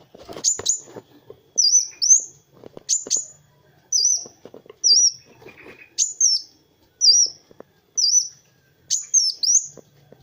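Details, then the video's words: Kolibri wulung sunbird singing in a recording meant for tutoring other songbirds: short, high, sharp whistled notes with quick downward flicks, repeated about once a second, over soft low knocks and rustling. "SUARA BURUNG MASTERAN Kowul (Kolibri Wulung) GACOR"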